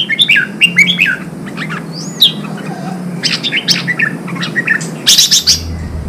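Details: Song of a red-whiskered bulbul, used to stir newly caught birds into fighting form: lively looping whistled notes, then a clear upslurred-downslurred whistle and scattered chirps ending in a harsh burst, over faint low hum.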